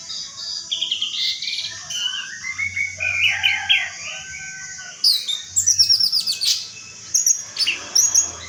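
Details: Orange-headed thrush singing a fast, varied song of sweet whistled phrases and sharp chirps, rising and falling between low and very high notes, with dense bursts of high trills in the second half and a steady low hum underneath.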